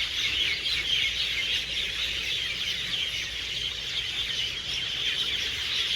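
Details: Garden trees full of hundreds of birds gathered to spend the night, chirping loudly at evening: a thick, echoing layer of high squeaky tweets with uneven swells, over low background rumble.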